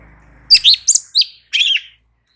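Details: Light-vented bulbul in lively song to draw responses from other birds: a short phrase of four or five sharp, bright whistled notes after a brief faint hum.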